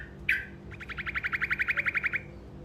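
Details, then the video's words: Short roll of a truco, used to provoke answers from other birds: one loud sharp chirp, then an even, rapid trill of about fifteen buzzy notes lasting around one and a half seconds. "Suara Burung Truco Ngerol Pendek Dijamin Pasti Nyaut"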